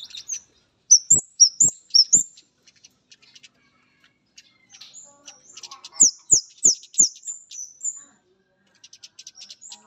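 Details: Vigorous singing from a male orange-headed thrush meeting a female: two bursts of rapid high rising chirps separated by scattered faint ticks, with low clicking knocks.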